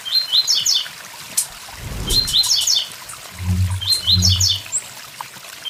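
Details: Blue-black grassquit's short high buzzy phrases near a waterfall, interrupted by low thuds and a knock, with the water's constant rush underneath.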